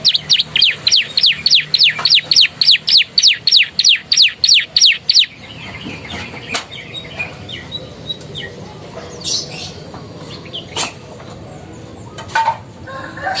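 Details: Canary used as a master tutor for other birds, its song filled with bar-winged prinia and Javan tesia phrases: a fast run of about fifteen repeated high, downward-sweeping notes for five seconds, then faint scattered chirps over background hiss.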